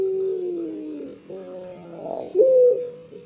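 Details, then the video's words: Barbary dove kept as a pet, heard in the morning: low, smooth drawn-out coos that slide gently downward, then a short pause and a brighter, steadier held note near the end. "Menikmati kicau burung puter dipagi hari//enjoy the chirping of the puter birds in the morning"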